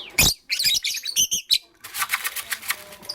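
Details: Morning chirping from pet lovebirds, a green Fischer's and a pastel blue: dense harsh high chirps and squeaks in quick bursts, ending in a rapid series of scratchy buzzy notes.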